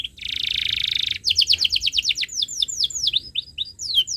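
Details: Canary singing persistently in a tutor recording for young birds: it opens with a long buzzy rolled trill, then a fast series of descending chirps that slow into wider, sweeping whistled notes.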